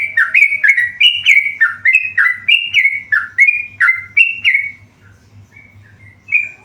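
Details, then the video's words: Tame yellow-vented bulbul singing steadily, a rapid series of short bright whistled notes that step up and down in pitch, roughly three per second, fading to a pause before one last phrase; a faint low hum underneath. "burung trucukan gacor jinak"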